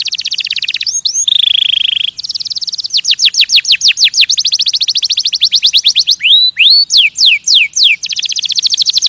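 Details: Canary singing to stimulate other birds: rapid trills of falling whistled notes, a long steady high tone near the start, then swooping downward slurs alternating with fast repeated chips.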